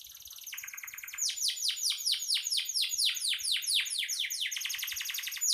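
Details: Canary singing gacor, used as master song for training songbirds; soft buzzy notes building into a loud, rhythmic trill of high down-slurred notes, repeated several times per second.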